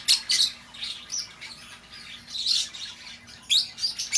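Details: Shrill lovebird calls meant to draw back an escaped bird: two sharp shrieks at the start, a loud squawk near two and a half seconds, and further piercing notes toward the end.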